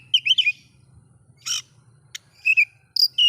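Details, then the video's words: Oriental magpie-robin song to provoke other magpie-robins: short warbled whistles, a harsh buzzy burst, a click, then high whistled notes, over a faint low hum. "bikin Kacer Lain ikut emosi coba buktikan dengan suara ini"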